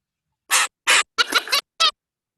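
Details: Zebra finch (Taeniopygia guttata) alarm calls: four short, harsh, nasal bursts over about one and a half seconds, the third longer and more broken; alarm warns of danger, quieting chicks or all nearby birds.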